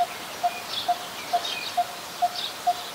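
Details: Coppersmith barbet, a very common resident, recorded at Ubon Ratchathani, Thailand, on 1 February 2020: a single low, hollow note repeated at a steady beat about every half second, seven times, over faint high insect hiss and rustling.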